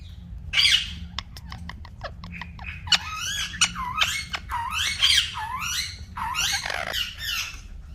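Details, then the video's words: Natural calls of green talking parrots, a steady run of sharp clicks followed by repeated bending, harmonic squawks that rise and fall, against a low background hum. "Green Talking Parrots Natural Sounds"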